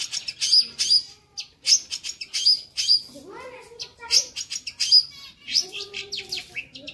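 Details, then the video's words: Long-tailed shrike song with lively fill-ins: loud harsh rasping bursts repeated roughly once a second, broken by sharp high whistled notes and lower slurred, downward-sweeping phrases near the middle and end. "suara masteran burung cendet gacor ,isian hidup"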